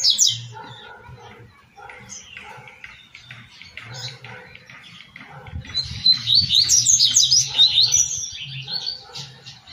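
A double-collared seedeater sings a fast run of high, clipped notes, rising into a dense, buzzy twittering burst mid-phrase, with faint low hum behind.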